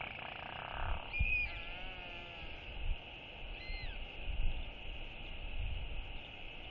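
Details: Young female Northern royal albatross on the morning of 5 July 2022, skycalling to greet the day as parents fly in to feed a chick: drawn-out wavering calls with a second shorter call later, over steady wind noise.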